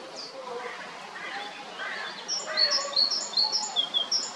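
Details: Male great tit at Jarun in Zagreb, Croatia, recorded in March to May 2022: quiet lower murmurs, then a rapid burst of thin, high, sharp notes in irregular clusters over steady background noise.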